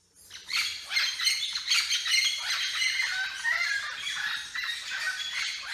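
Red-lored amazons give loud, harsh, grating squawks that overlap almost without pause, like several parrots calling at once.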